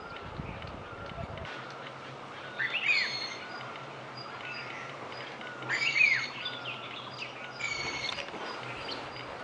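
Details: Haunting whistled call of a rufous-throated partridge, Himalayan forest, Uttarakhand, India: two brief high rising-falling whistle phrases about three seconds apart, then a fainter third, against constant forest hiss and a low rumble early on.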